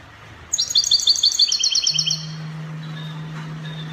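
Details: European goldfinch singing in the Spanish copia style, Morocco: a fast run of bright, tinkling, buzzy notes repeated about three per second for a second and a half, then a steady low electrical hum continues.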